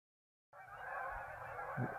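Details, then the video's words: Geese leaving a marsh for an afternoon feed after a midday rest: a dense, continuous chorus of overlapping honks from many birds, with a low thump near the end. "Geese Leaving Marsh"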